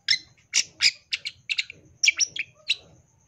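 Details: Long-tailed shrike singing a full isian tembakan song: loud buzzy chatter mixed with whistled notes, delivered in a quick, uneven sequence of about a dozen elements.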